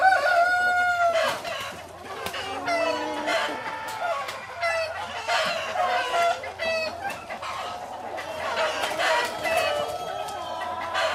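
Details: Chickens clucking and cackling in a henhouse on a poultry farm: many overlapping nasal, harmonic clucks and drawn-out cackles, with a steady low hum behind them.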